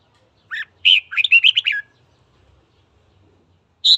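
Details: Red-whiskered bulbul singing in the morning to incite fighting: a short introductory whistle, then a lively phrase of about seven loud, liquid warbled notes, a quiet pause, and one sharp high note at the close.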